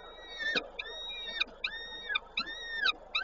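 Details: Peregrine falcon feeding at a nest in Koszalin, 19 May 2022: arched, drawn-out wails that rise and fall, several in quick succession with brief sharp clicks between them.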